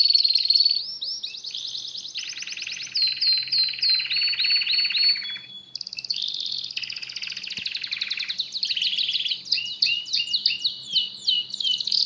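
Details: Canary in full song, a long run of varied phrases: rapid rattling trills, repeated downward-slurred notes, a brief steady whistle, then quick clipped chirps.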